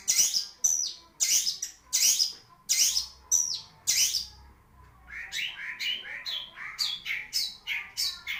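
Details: Caged long-tailed shrike in full song, opening with a series of loud harsh rasping bursts spaced under a second apart, then shifting to a quicker sequence of higher, clearer chirped notes with varied pitch.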